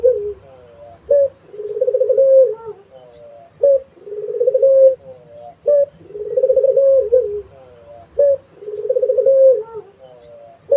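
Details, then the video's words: Barbary dove in full voice, giving repeated cooing phrases: a clipped introductory note followed by a drawn-out, vibrating coo, four phrases at steady intervals of roughly two and a half seconds, with a quiet background hum. "SUARA BURUNG‼️ PUTER GACOR"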